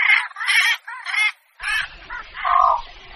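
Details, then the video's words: Javan pond heron calls used as a bird-hunting lure: harsh, raspy squawks in quick bursts, about three in the first second and a half, then after a short gap a run of rougher, lower croaks over faint low rumble. "suara burung blekok pikat"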